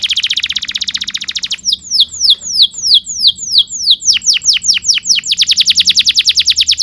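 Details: Canary song used for training young canaries: a fast buzzy trill, then a run of descending whistled sweeps about three per second, finishing with another rapid trill.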